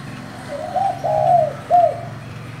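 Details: Spotted dove with a thổ-style voice calling to provoke other doves: one soft, low cooing phrase of three notes, a short lead-in, a longer swelling middle coo and a separate falling final note, over a faint low hum.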